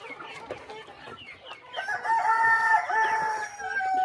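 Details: Rooster crowing on a small countryside chicken farm at morning feeding time, a long harmonic crow rising and held steady before trailing off, over a background of softer clucking from other chickens.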